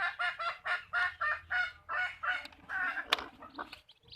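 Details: Hens on a backyard chicken farm giving a steady run of rich, nasal clucks about every quarter second, then a sharp click and softer high chirps near the end.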